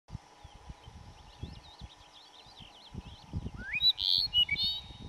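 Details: Dupont's lark at Duraton Gorge in May 2005. Faint, high, twittering phrases are followed by a sharp rising whistle and a few loud, thin, buzzy notes, against low rumbling wind noise.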